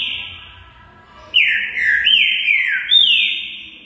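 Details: Green-winged saltator (trinca-ferro), singing a lot: after a quiet start, loud clear whistled phrases burst in, each note sliding steeply downward and running into the next in a rolling, slurred series, with faint chirps above.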